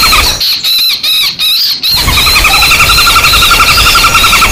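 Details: Woodpecker lure recording combining fighting and screaming calls: harsh, high screeching notes in quick bursts, about three a second, followed by steadier repeated shrill cries over background noise.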